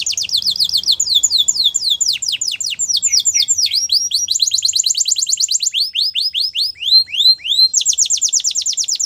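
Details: Powerful canary training song, a continuous series of fast trills and rolls, each phrase of rapid downward-sweeping whistled notes at a different speed, very high-pitched and unbroken throughout.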